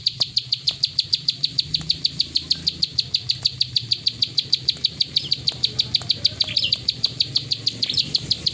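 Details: Plain prinia singing in the clicking 'klik ngacor' style, with fast, evenly spaced high clicks repeated without a break and a brief extra chirp near the end over a low background hum.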